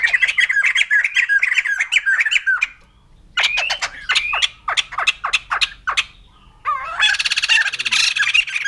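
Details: White-crested laughingthrush cackling noisily. Rapid squawky notes open the clip, then a brief silence, then a series of sharp separate chuckles and a closing harsh, buzzy outburst.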